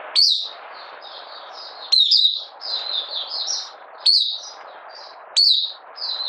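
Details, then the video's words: Buka sing by a caged Malaysian Oriental white-eye, out of form in minor moult, 31 July 2023: phrases each opening with a sharp loud note followed by softer twittering, about every two seconds, over steady hiss. "Malaysian Mata Puteh Buka Sing"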